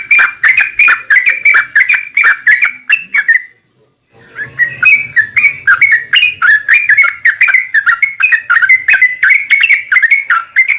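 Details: Sooty-headed bulbul in a lengthy rapid song used to coax other bulbuls into singing: tumbling whistled notes that stop for about a second and then return just as fast and dense.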